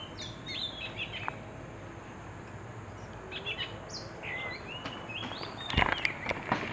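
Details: Oriental magpie-robin giving varied whistled notes and short rising and falling slurs in scattered phrases, with louder clicks and knocks near the end over a low steady background hum.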